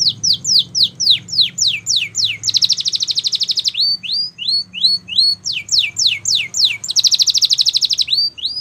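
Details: Canary training song: fast runs of high descending whistled sweeps alternate with two dense buzzy trills, broken by slower upward-slurred chirps, all bright and high-pitched with a faint low hum beneath.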